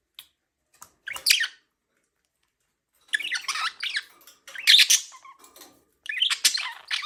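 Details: Pet budgerigar chirping indoors: bursts of harsh, scratchy warbled chatter with squawks, given in short clusters separated by pauses of one to two seconds.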